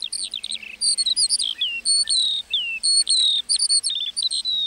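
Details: Lark song in a meadow, made of clusters of high chirps and whistled phrases with brief gaps between them, the notes sharp, bright and quickly repeated.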